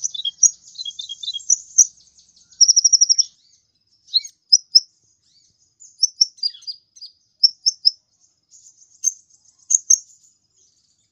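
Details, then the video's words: Sunbird called kolibri ninja singing energetically for songbird training: high twittering phrases, a brief very high even trill, then spaced, sharp, squeaky chirps in twos and threes with short gaps. "suara burung kolibri ninja gacor"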